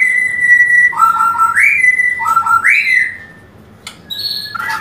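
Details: Breeding-urge song of a white-rumped shama: a few clear, sustained whistles, a pair of stepped rising notes, a pause, then a short high whistle and a brief trill.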